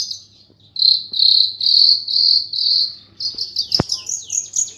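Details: A long-tailed shrike (Lanius schach) song, used as a training recording for contest birds, gives a run of high, buzzy, insect-like phrases about twice a second, then breaks into rapid, sharp, rising notes.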